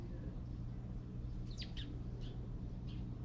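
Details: Birds at a feeder in Korea that had fallen after a rain storm, one bird feeding another; a handful of short, sharp descending chirps bunched in the second half, over a steady low droning hum.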